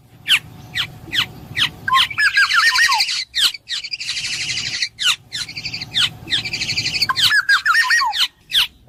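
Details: Black-naped oriole giving harsh, nasal buzzy bursts laced with looping fluty whistles, alternating with sharp, quick downslurred chirps repeated at an uneven pace; low background hum.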